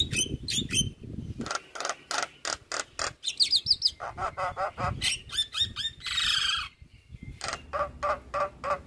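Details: Javan myna singing a full, lively master song for training other birds: varied clicks, harsh chatter, high fluttering trills and a long hissing rasp, delivered in rapid succession.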